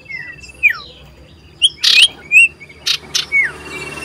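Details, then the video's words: Common iora calling loudly as it seeks a rival, 27 December 2022: scattered downslurred whistles and a sustained thin tone, broken by loud harsh broadband bursts. "Burung SIRTU CIPOH berbunyi nyaring gacor mencari lawan"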